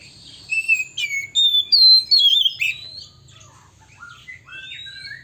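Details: Male Oriental magpie-robin in a provoking song: sweet whistled notes slide up and down in a fluid phrase, then quieter scattered whistles follow, with a faint low background rumble.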